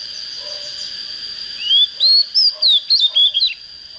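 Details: Oriental magpie-robin, a plain untrained bird just coming into breeding fire, sings one lively phrase: a rising whistle, then about six rapid varied notes with sharp slurs and drops, over a constant high whine.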